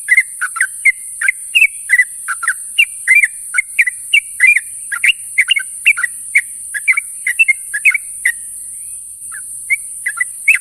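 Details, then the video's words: Morning companion calls of a sooty-headed bulbul: a sustained, busy stream of liquid, warbled notes at roughly three per second, thinning out near the end, over constant high hiss. "suara burung trucuk memanggil kawan di pagi hari"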